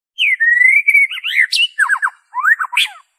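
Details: Original white-rumped shama song, free of mimicked insertions, used as a lure for captive birds: a long sustained whistle slowly rising, then fast descending whistled notes and a final looping phrase.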